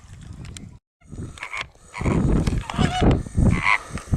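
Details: Greater flamingo gabbling loudly, dense overlapping grunts and nasal honks crowding the second half after a brief silence, with a sharper higher honk near the end and low rumbling noise throughout.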